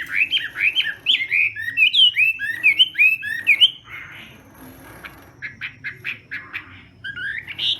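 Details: Chinese hwamei in morning singing practice, competitive style: fast run of loud, looping whistled phrases rising and falling, then a softer stretch of short chipping notes and a return to whistles at the end, over faint low background hum.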